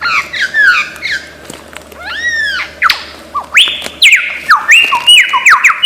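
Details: Mimicry by a lyrebird of Australian forest: wavering descending whistles, then curved harmonic arcs, followed by a sequence of looping whistles that climb, hold level and plunge, repeated several times in quick succession.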